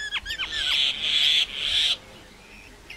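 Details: Common myna song: brief sliding whistles followed by a long, loud, grating rasp lasting about a second, then quiet.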